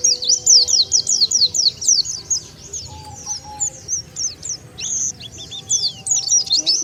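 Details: Wild-bird lure call of the Oriental white-eye: lively series of descending high chirps, some doubled, with brief pauses and a steady thin whistle in the background.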